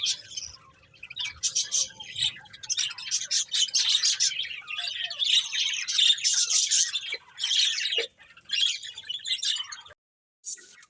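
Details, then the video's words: A group of colourful budgerigars keeps up continuous high, twittering chatter and squeaky chirps for about ten seconds, then falls briefly silent near the end before a last chirp. "Beautiful Colourful Budgies Chirping Sounds"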